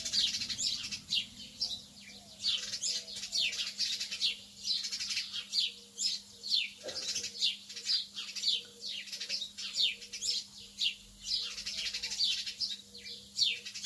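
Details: Dense, continuous chattering from lovebirds early in the morning: rapid shrill chirps tumble over one another almost without pause, with a faint low hum beneath.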